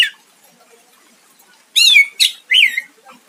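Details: Cucak ijo, the greater green leafbird, singing to lure a rival: after near silence, three loud ringing phrases, each a bright note sliding downward with a sharp buzzy edge, close together near the end.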